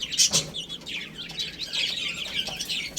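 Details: Several little chicks eating and playing, giving a dense stream of high, thin chirps with quick downward slides, overlapping almost without pause for the full three seconds.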